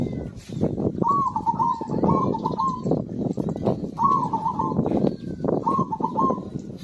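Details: Zebra dove in full song, used as a lure for birds that will not sing: three rolling, trilled coo phrases about two seconds apart, over a loud low rumbling background.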